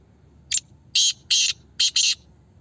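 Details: Black francolin calling in a voice competition: one short rasping note followed by four loud, harsh, buzzy notes in two pairs, grating and broadband, with a faint background hum.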